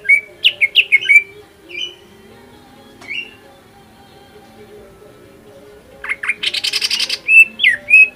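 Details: Lure song of a greater green leafbird meant to provoke rivals into singing: short bursts of sharp whistled notes separated by near-silent pauses, then a dense buzzy flurry and more clear whistles near the end, with a faint low hum.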